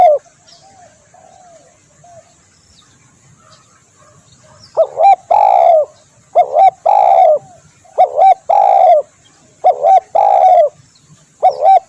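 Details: Spotted dove call used to attract birds. Faint low coos give way after about five seconds to loud repeated phrases of short and drawn-out coos, some ending in a falling slur.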